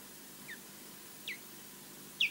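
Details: Osprey defending its nest alone against a distant intruder at Loch Garten, Scotland, on a live nest camera: three brief, sharp, descending whistled chirps, the first faint and the last loudest, over a low steady background hiss.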